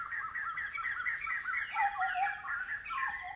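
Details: Migrant Blyth's paradise flycatcher in semi-evergreen forest near Kulen National Park, Cambodia, giving a steady run of scratchy, chattering notes, with a lower whistled phrase from another bird sliding in partway through.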